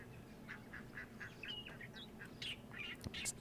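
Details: Egyptian geese with goslings at a waterhole, 13 January 2023, give rapid strings of harsh honking calls, several per second, rising to louder bursts, apparently irritated by springbok venturing too close; low background rumble.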